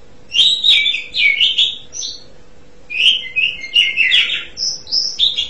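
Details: Asian pied starling in full song: two bursts of varied whistles, chatters and slurred notes separated by a short pause, ending with high clear whistled notes.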